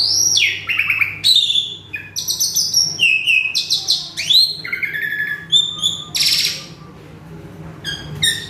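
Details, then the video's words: Asian pied starling, an agitated male, delivers rich mimicking song: downward-sliding whistles, stacked buzzy notes and sharp rising sweeps in quick succession, with a soft low hum behind. "Si Jalu Emosi | Suren Ngamuk | Full Isian"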